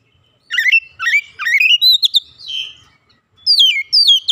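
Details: A trainee oriental magpie-robin in loud gacor song bringing out fill-in phrases: trilled twisting whistles repeated about every half second, a buzzy note, then clear falling whistles.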